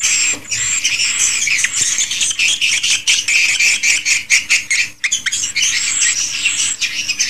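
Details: Swiftlets recorded inside a swiftlet house: a dense, continuous chorus of high, rapid twittering chirps with sharp clicking bursts, many birds calling at once without pause.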